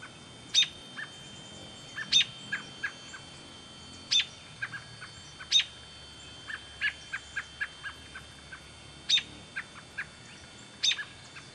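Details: An American robin fledgling in Smethport, Pennsylvania, gives sharp, high chips and short clucking notes at an uneven pace, with a faint steady high whine behind.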